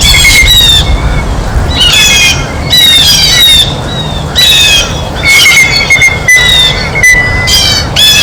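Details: Loud, harsh scolding squawks come from blue jays eating at a feeder, in bursts roughly every second or two. A faint continuous whistle runs underneath.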